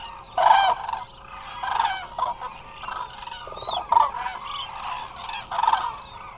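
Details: Resting Eurasian cranes in large numbers at Israel's Hula Nature Reserve, captured by a live wildlife camera; loud, harmonic bugling calls stand out at intervals above a dense, continuous chorus of overlapping flock calls.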